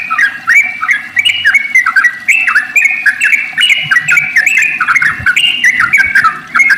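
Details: Fast, unbroken chatter of warbling, liquid notes from a sooty-headed bulbul in long 'ropel' song, used as a lure to make other bulbuls sing.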